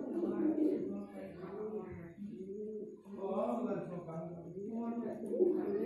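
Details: Courting pigeons produce deep, arched cooing phrases that rise and fall in pitch in an enclosed space, with a short pause near the middle.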